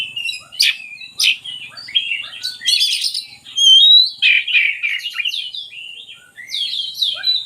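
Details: Song of an oriental magpie-robin, meant to spur lazy birds to sing: sharp explosive notes, scratchy chatter and rich warbled phrases, broken by brief pauses, with a loud dense outburst in the middle.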